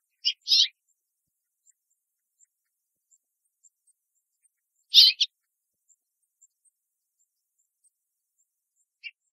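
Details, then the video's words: A female House Finch perching and hopping between branches in a tree in Southern Ontario, Canada, gives short, bright chirps in quick pairs, spaced several seconds apart, against an otherwise quiet background; female House Finch calling. "Female House Finch Calling"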